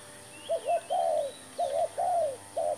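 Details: Spotted dove calling while used as a trapping decoy: loud, mellow coos, a quick double note then a longer downward-sliding coo, repeated twice, with a faint high chirp of another bird.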